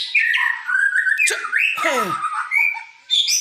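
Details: White-rumped shama, a young caged bird in a bowing display, singing a loud, varied run of whistled phrases sliding between high and mid pitch, broken by a sharp rasping burst and a falling harsh note in the middle.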